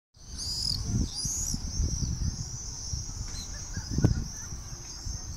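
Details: Common swifts over an old town on a summer evening, 18 July 2017 at 8 pm; shrill, high screeching trills sweep and overlap repeatedly, above steady low town rumble with a brief thump near four seconds.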